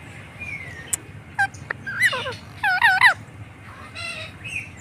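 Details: Pet Indian ringneck parakeet making a few clicks, then loud raspy, modulated squawks in a cluster near the middle, followed by softer chatter, with low background noise.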